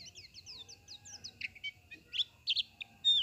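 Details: White-eye song in the 'teler' style: a quick series of short slurred high notes, then louder scattered chirps and sharp downslurs separated by brief pauses.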